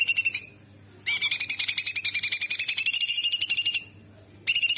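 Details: Cucak cungkok bulbul singing actively, its song filled with mimicked white-eye notes and sharp bursts: a dense run of rapid, high, buzzy chattering notes repeated about four times a second for three seconds, with shorter bursts before and after.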